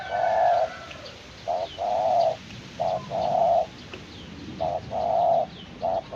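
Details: Spotted dove in the early stage of training as a decoy bird, cooing outdoors: low hollow coos in short and longer phrases, grouped in threes, over steady background hiss with faint high chirps of other birds.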